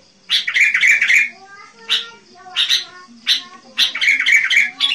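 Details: Sooty-headed bulbul song, used to lure wild bulbuls: bright, chattering bursts of bubbly notes, each about a second long, repeated several times with short pauses between.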